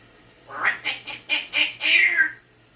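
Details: Pet African grey parrot, male, indoors, imitating a phone, barks and burps; a series of five harsh, rasping squawk-like bursts rising in loudness, the last one longer and falling in pitch, with a faint steady hum behind.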